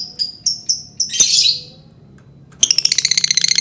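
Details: Lovebird lure song meant to provoke other birds: high, thin chirps in quick bursts, a harsh squawking burst in the middle, then a fast, buzzy trill of rapidly repeated notes.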